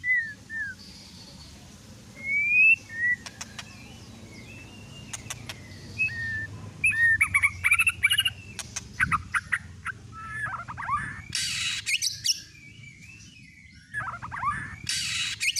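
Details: Varied white-rumped shama song used as a provoking lure: scattered high whistles, then dense tumbling warbles and slurred notes, broken by harsh scratchy bursts, over steady low background noise.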